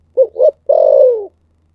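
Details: A single 'thổ sấm' style spotted dove phrase: two brief mellow coos, then a longer buzzy coo that slowly falls in pitch, with a faint low hum behind.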